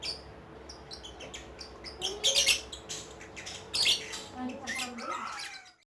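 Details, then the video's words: Ngekek chatter from a lovebird: rapid, high, scratchy bursts grow louder in the middle, alongside faint twittering and some quiet human voices in the background. "LOVE BIRD || ngekek 8 kilo meter"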